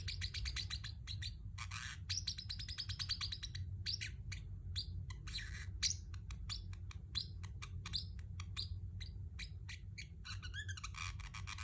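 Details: Pet Pacific parrotlet chirping: rapid series of short, sharp chirps with a few longer harsh raspy bursts, steady low hum underneath.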